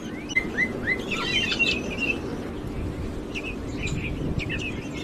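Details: Sparrows feeding their chicks. Short downslurred chirps repeated at first, then scattered high squeaky notes, over a steady low background rumble.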